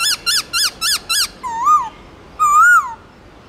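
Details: Loud, clear forest-style singing from a black-throated laughingthrush used to train caged birds: five fast descending whistled notes, then two long wavering whistles that swell and fade.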